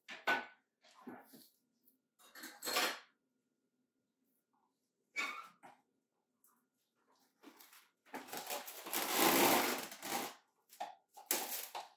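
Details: Pet cockatoo indoors, calling after finishing an apple snack: a few short harsh squawks, then a long, loud, raspy screech of about two seconds, followed by more brief rough calls.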